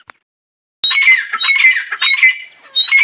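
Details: Female grey francolin: after a short silence, a run of loud, rasping squawks overlaid with high whistled tones, repeated in quick bursts.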